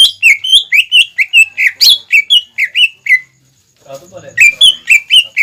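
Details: Greater green leafbird song for training young birds to copy: a rapid, steady run of bright whistled notes, about three per second, a brief break with soft low clatter, then the whistled series resumes.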